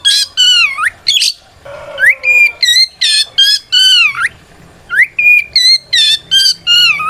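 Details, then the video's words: Challenging song of a white-rumped shama, played to provoke rival shamas into answering; loud downward-curving whistles repeated about every half second, some rising sweeps and a short lower warble, with harmonics stacked high. "Suara Burung kacer gacor NGEPLONG tarung ini paling ampuh buat PANCINGAN KACER agar EMOSI Nyaut"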